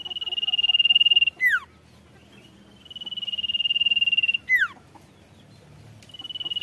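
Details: Provoking its rivals, a golden-bellied gerygone repeats a loud level high trill ending in a steep falling whistled flourish, three phrases in all, over quiet low background noise.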